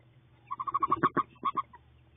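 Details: A wood duck, in a nest box during hatching after 32 days of incubation, gives a quick run of about ten short, nasal, mid-pitched notes in just over a second, then pauses briefly; no other clear sounds.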